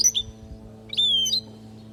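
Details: A Palestinian goldfinch singing as a teaching recording for young goldfinches: a quick twitter, then a sustained pure whistled note that falls slightly and ends in a buzzy flourish, over a faint steady hum.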